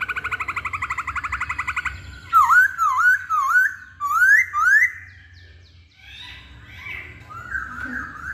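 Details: Hwamei singing: a fast rattling trill of repeated notes, then loud rich whistled phrases swooping down and up, a pause, and softer warbled notes closing the sequence.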